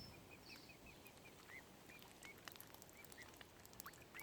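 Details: Tiny baby mute swan cygnets at Lough Neagh, Oxford Island Nature Reserve, Ireland; thin, high peeping chirps come in a quick series about every quarter second, some louder with a rise-and-fall shape, over a steady hiss of outdoor background noise.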